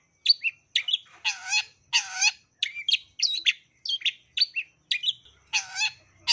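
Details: Long-tailed shrike song used as a lure to prompt other shrikes to sing, full of sparrow-style fills: short harsh, buzzy and chattering notes in quick separate bursts about every half second, with no other sounds.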